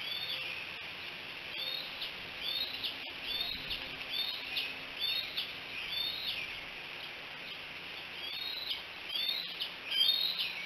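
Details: Bald eagle recorded by a nest camera at Decorah on 5 July 2018, late morning: sharp high whistled notes, rising and falling in chevron shapes, repeated in quick uneven bursts over steady broadband background hiss.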